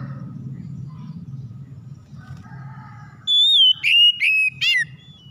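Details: Kacer, the oriental magpie-robin, singing as a lure to get other magpie-robins to start singing: faint warbles over low rumble, then four loud bright whistled notes with rapid pitch sweeps and a final sharp rising flourish.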